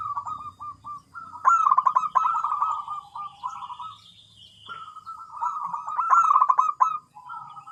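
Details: Zebra dove delivering long runs of quick, rolling staccato coos, broken by short pauses, against faint background noise.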